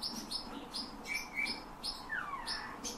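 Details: Owner-trained captive bullfinch singing learned phrases copied from human whistling, nightingale and thrushes: short high chirps about once a second, a level whistle, then a long piping note sliding downward.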